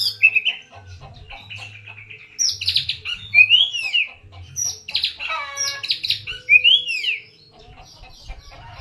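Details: Oriental magpie-robin singing a lure song: varied whistles, rising slurs and harsh chattering notes, with other bird calls and a low hum behind.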